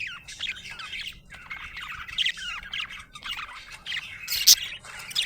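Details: Happy budgie giving chirps and chattering warble: quick down-slurred notes and squawky phrases in repeated bursts, with one loud sharp squawk near the end.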